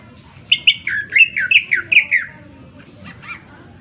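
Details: A burst of rich, warbling whistles slurring up and down from a greater green leafbird, sharp-voiced song for goading other birds into song, followed by softer faint notes.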